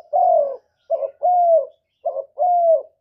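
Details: Repeated spotted dove cooing meant for luring wild birds into traps and exciting kept birds: long smooth falling coos, each preceded by a brief gruff note, in steady pairs a little over a second apart.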